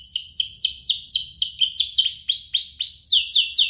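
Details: Canary song used as a lure to get other canaries singing and as master song for young birds: a fast run of downward-sweeping whistled notes, about two per second, bright and high, with no other sounds.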